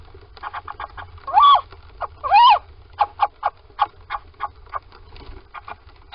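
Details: Little owls entering a nest box at Sprundel, 13 February 2020, morning. Two loud, arching, nasal calls are surrounded by a string of short, softer clicks and notes, with a faint low hum underneath.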